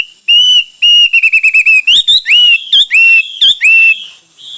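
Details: Hwamei giving clear, pure whistles: long steady notes, a fast run of short repeated whistles, then upslurred and looping whistled phrases, all loud and ringing.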